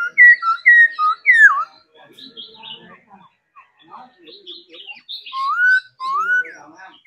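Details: Singing laughingthrush under daily training: several loud whistled notes and a downward slur, a quieter stretch of soft chatter, then two long smooth rising whistles.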